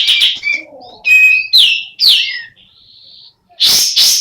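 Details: Female sooty-headed bulbul, semi in breeding condition, giving a varied string of clear whistled and slurred notes, some rising and some falling, including one long steady tone, ending in two loud harsh bursts.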